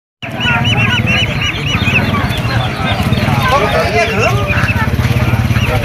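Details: Ducklings at an animal market: a dense run of high, thin peeps, each a quick rising-falling chirp repeated several times a second, over lower chattering calls and a steady pulsing mechanical rumble.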